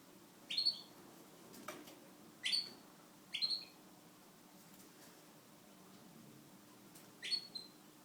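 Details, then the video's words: A Syrian serin (Syrian canary) gives four short, high chirps a second or more apart; a faint indoor hum and a single soft tap are heard between them. "syrian canary sings"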